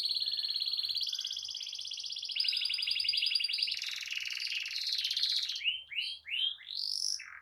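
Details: Gacor ngerol canary song, meant to teach young canaries and prompt non-singing birds to start: a long, dense, rattling high trill lasting several seconds, ending in separate swooping notes with short gaps.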